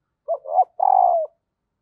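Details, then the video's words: Female spotted dove's stimulating call for males. A brief hoarse double note rises into a longer, buzzy, steady coo that sinks slightly at its end, all on one low pitch band. "Bổi lười gáy và lâu nổi vì anh em chưa mở vdeo này/ tieng cu mai kich trong"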